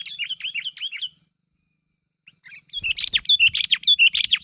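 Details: Sooty-headed bulbul, in a recording used as a lure so other bulbuls answer, calling others to respond: a quick run of bright, bubbly chirps, a short pause, then a busier, denser burst of repeated high chirping notes.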